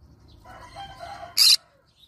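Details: One loud, abrupt rasping squawk from a yellow-sided green-cheeked conure, preceded by a faint, wavering softer sound.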